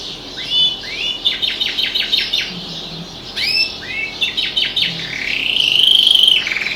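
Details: Canary at home singing with outdoor birds beyond the window. Repeated rising swept notes in quick bursts, paused and restarted, closing in a loud sustained buzzy trill.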